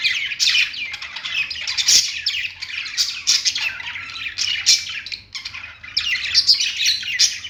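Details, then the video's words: Perched budgies keep up a lively, gritty chatter of fast chirps and harsh squawks in bursts, with occasional brief lulls and sharp tapping clicks. "budgies singing on perch | parakeet chirping sounds"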